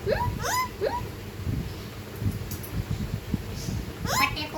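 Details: Talking ringneck parrot, also called Indian parrot, producing short rising, speech-like harmonic sweeps: three quick ones within the first second and another burst near the end, over steady low rumbling room noise.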